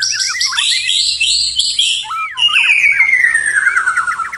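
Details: White-rumped shama in night song: a run of buzzy trills and looping whistles, then a long pure whistle gliding gradually down, with short clicks sprinkled through it.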